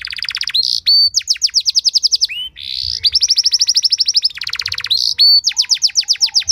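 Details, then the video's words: Canary training song in the cengkok mewah style, intended to draw other canaries into song: long rolling trills of fast repeated notes broken by short pure whistles and a buzzy slur. "Materan Burung Kenari Lagu Istimewa! Cengkok Mewah Bikin Kenari lain Ikut Terpancing jadi Gacor"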